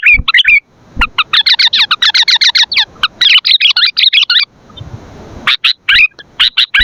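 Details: Energetic sooty-headed bulbul song meant for luring and training bulbuls: after a few opening chirps comes a long, rapid run of crisp repeated notes lasting several seconds, then a hissy pause and scattered loud chirps.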